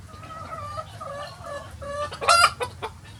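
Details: On a farm with many chicken breeds free ranging on a sunny day, a bird gives a series of short, mid-pitched clucks that break into a loud, harsh squawk near the end, followed by a few quick clucks.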